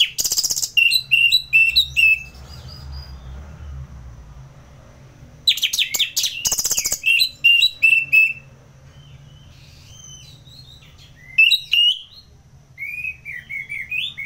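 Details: Orange-headed thrush from Singaraja, Bali, singing in ngeplong style for contest-bird training: bursts of loud, varied, scratchy-whistled phrases separated by quiet gaps, with softer twittering notes near the end.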